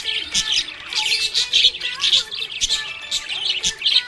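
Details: Cheerful budgie giving rapid bursts of high twittering and chirruping warbles, about two bursts a second, over faint music in the background.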